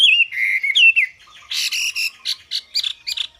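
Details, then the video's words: A wambi sings vigorously with lively slurred whistles, then a fast run of sharp, scratchy chirps, all high-pitched, with no other sounds. "Suara burung WAMBI gacor"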